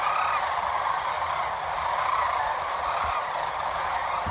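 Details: Sandhill cranes on an evening fly-in over the Platte River in Nebraska: a dense, continuous chorus of rolling, trumpeting calls from many birds blending into a steady din, with a few brighter calls rising above the mass.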